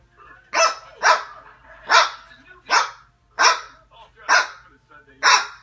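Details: A pet umbrella cockatoo imitates a dog, giving harsh, hoarse barks in a steady series.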